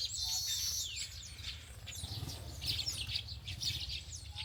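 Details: A bird opens with a high whistled note sliding downward, then assorted chirps and twitters follow over a rumbling low background noise.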